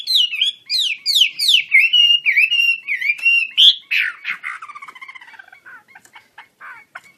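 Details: Chinese hwamei of the Wambi Kembang type singing energetically while opening its wings: fast, rich whistled phrases sliding and looping downward, then a run of quicker, softer chattering notes fading toward the end.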